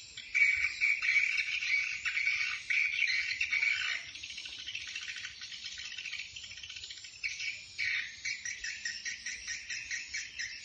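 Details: Swiftlets calling the flock, Bình Định: continuous high rattling twitter in bursts, louder at the start, a brief quieter gap near four seconds, then pulsed chirping resumes in short waves.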